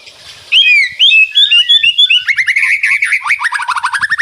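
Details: White-rumped shama, rattling 'ngeretek' song, birds answering each other: a series of upswept whistles, then a fast rhythmic chattering rattle of repeated notes to the end.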